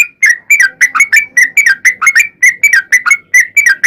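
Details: Sooty-headed bulbul pouring out a fast 'ropel' run of clear, slurred whistled notes, roughly four a second without a break, played as a lure to make other bulbuls answer.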